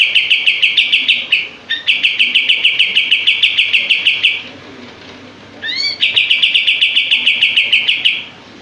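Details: Common iora (kapas tembak) in an energetic tail-spreading display, song used as a training master. Rapid, dense bursts of sharp identical notes, about three per second, in long runs separated by brief rising whistled slurs.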